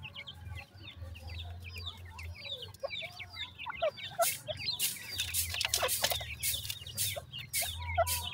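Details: Grey francolin chicks: many high twittering chirps overlapping, with occasional lower notes, loud scraping bursts in the second half and a steady low hum.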